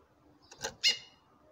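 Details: Female chestnut-bellied seed finch calling to a male: a soft short note followed by one sharp, bright, harmonic-rich call lasting a fraction of a second, against a quiet background.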